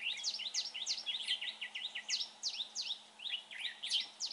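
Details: Red-whiskered bulbul with a fine voice at a trapping site: vigorous, fast bursts of sweeping, high chirps, closely packed and uneven in rhythm, with a faint hum underneath.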